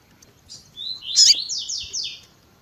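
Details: Double-collared seedeater singing tui tui zel zel mixed with female calls, edited to rouse males. A rising whistle runs into a loud burst, then a string of downslurred high notes.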